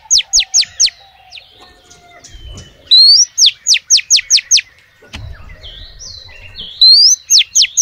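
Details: A female oriental magpie-robin calls to males. Three phrases each pair a rising whistle with four or five quick, piercing notes that drop in pitch. Brief low noise is heard between phrases.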